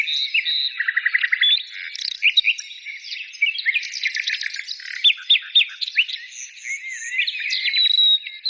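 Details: Mixed chorus of singing birds: a fast low trill of repeated notes early on, then varied high chirps, twitters and drawn-out whistles overlapping throughout.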